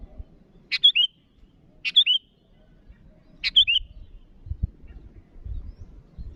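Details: Sooty-headed bulbul, a lively caller challenging rivals, gives three crisp phrases roughly a second apart, a sharp note then a brief warbled twist. A fourth phrase begins at the end, with low thuds beneath.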